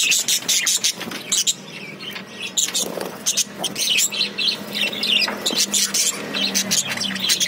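A flock of budgerigars chatters nonstop with rapid, high, scratchy chirps and warbling squeaks. A faint low hum or voice sits underneath.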